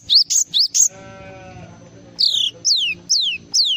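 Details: Java sparrow singing four quick rising whistled notes, a short gap filled by a soft tonal hum, then four loud falling whistles spaced evenly.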